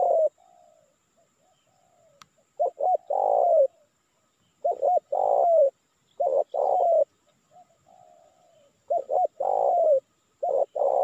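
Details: Spotted dove calling repeatedly to draw in wild birds in Indonesia. Several loud phrases of clipped notes and long, hoarse, falling coos alternate with softer, distant-sounding coos in the gaps.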